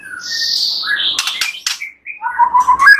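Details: White-rumped shama fill-in song for training other birds: a high buzzy phrase, crisp clicks, a short pause, then a fast run of rich lower whistles.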